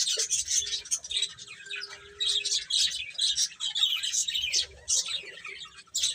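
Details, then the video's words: Baby chickens eating and playing, giving dense, high, rapid peeping chirps in overlapping bursts with short quiet gaps, a faint low hum beneath. "Baby Chicken Chirping Sounds"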